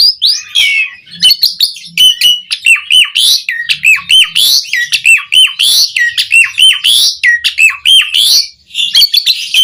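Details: Caged-bird training song of an Asian pied starling: a steady stream of short downward-sweeping whistles mixed with clicks and harsh notes, repeated nearly once a second.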